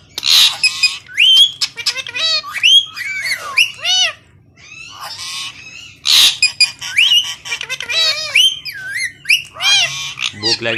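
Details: A pair of pet green parrots, a naughty couple, chatter at each other in Urdu: shifting whistled and squawky speech-like syllables with rising and falling pitch, harsh screeches between, short pauses around four seconds.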